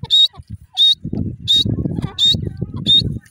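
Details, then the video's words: Irani teetar, a francolin, giving five short, high, whistled notes spaced roughly every 0.7 seconds, each sharp and clipped, over a steady low rumbling background noise. "irani teetar bird ki best awaaz"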